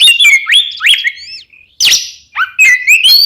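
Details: Oriental magpie-robin in kembar ngeplong style, meant to lure caged birds into song: upward-sweeping whistles and slurred notes, a brief gap, one harsh downslurred note, then more bright whistled phrases.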